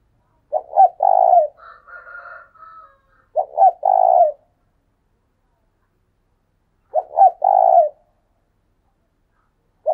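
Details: Spotted dove kept as a decoy, calling in "thúc sung" fashion: three low, rhythmic coo phrases of two short notes and a drawn-out coo, with a fainter, higher answering coo just after the first.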